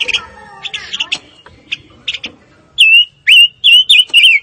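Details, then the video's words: Fire-tailed myzornis, with soft chatter and chirps at first, then a string of five strong, pure whistled notes that swoop upward and fall, delivered about twice a second. "Kicau Burung Pancawarna Paling Dicari - Tiếng chim ngũ sắc"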